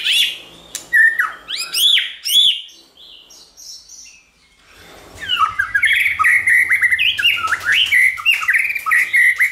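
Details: Many-voiced song of a White-rumped shama, used for training shamas to sing; loud looping whistles and high chips, a pause of about two seconds, then a fast unbroken run of warbled notes.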